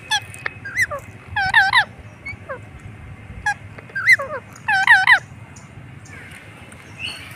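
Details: Indian ringneck parakeet, a pet bird, giving harsh, wavering squawks in short bursts with pauses between, some notes buzzy and rising, over steady low background hum.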